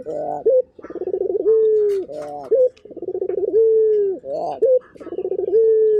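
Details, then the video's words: A local turtle dove coos continuously, about one phrase every two seconds. Each phrase is a rolling, pulsed low note stretching into a long, slightly falling hum and closing with a quick rising hook. "Burung Puter Gacor"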